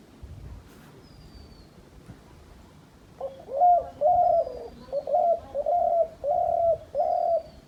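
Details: After three seconds of quiet background, a hunters' decoy dove starts cooing: six short, husky, low notes strung together in a rhythmic burst, while distant thin whistles drift overhead.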